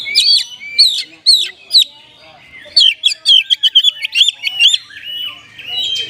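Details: Oriental magpie-robin singing in a style that imitates the kapas tembak: sharp whistled notes rising and falling, followed after a pause by a quick run of repeated chirps and slurred whistles.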